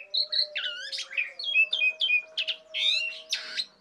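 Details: Lively Asian pied starling singing: varied whistled phrases with bent, rising-and-falling notes, harsh squawky bursts and scratchy fragments, with a steady low tone running underneath.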